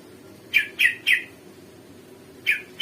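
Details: Sumatran leafbird just after its bath: a quick group of three ringing chirps, a pause, then two more of the same sharp, bright notes against near silence.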